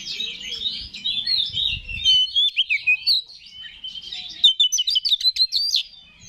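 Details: Oriental magpie-robin lure song to rouse rival birds. Varied sliding whistles lead into a string of evenly spaced chirps, then a quick rattling trill. Faint low rumble at the start.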